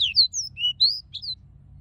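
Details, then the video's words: Young Pied bushchat practising its song: a quick string of short, high, slurred whistles, some rising and some falling, about six notes in under two seconds, over a faint low hum. "Decu belajar ngeplong"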